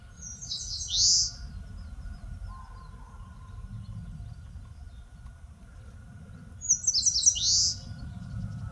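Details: Eastern crowned warbler singing in forest at Palbongsan, Seosan, Korea: two identical phrases about six seconds apart, each a fast string of high chips ending in a buzzy downslur, with a faint lower whistle between.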